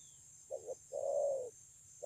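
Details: Spotted dove, wild-caught, singing 'thổ âm' style at Kon Long on 9 June 2020: one low phrase with a short clipped note and then a long steady coo lasting over half a second.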